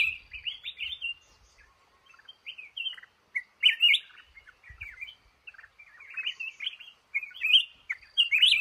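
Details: Clear song of a male red-whiskered bulbul in a cashew garden, set for trapping: bright, fluty warbled phrases in bursts separated by short pauses, sometimes rising to a sharp high note. The background is quiet.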